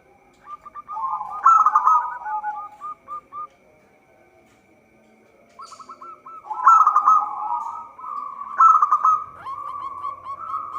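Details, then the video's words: Local zebra dove singing persistently, a recording meant as a trapping lure: a bright rolling burst, then quick staccato hooked coos at an even mid pitch, falling silent, then a second longer burst with overlapping cooing phrases and faint high notes. "Perkutut lokal gacor suara cocok untuk pancingan."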